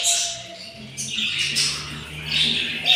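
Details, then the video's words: Hungry yellow budgerigar chicks in the nest on day 7 after four eggs hatched. Harsh, raspy high squawks in overlapping bursts, with a steady low hum underneath. "yellow budgies take caire of their nest and hatching 4 eggs and they are very hungry"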